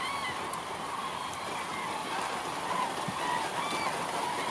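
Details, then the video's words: A large crane flock calling in the rain: a dense chorus of overlapping rolling, trumpeting notes over the steady hiss of rain. "Cranes in the rain עגורים בגשם"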